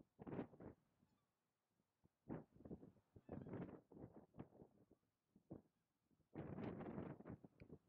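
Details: Tundra Bean Geese (Anser serrirostris rossicus) in Zeeland, Netherlands, in February 2012 give low, nasal honking calls in quick irregular bursts.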